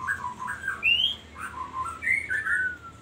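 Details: Short, slurred whistled phrases from a magpie-robin, swooping up and down and including one high rising note, heard against steady background noise.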